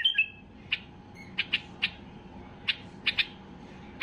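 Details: White-eared bulbul in peak excitement, calling to set other bulbuls singing: a slurred double whistle opens, followed by sparse, sharp bright notes spaced irregularly over a steady low hum.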